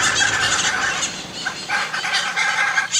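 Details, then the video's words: Hyacinth macaws calling with rough, grating squawks in quick uneven bursts, several voices overlapping. "Hyacinth Macaws"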